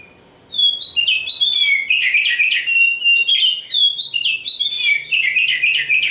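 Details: Black oriental magpie-robin (Kacer Hitam), kept as a hopeful champion, bursts after a brief quiet into a loud, continuous song of ringing whistles, quick trills and downslurred notes that runs almost six seconds.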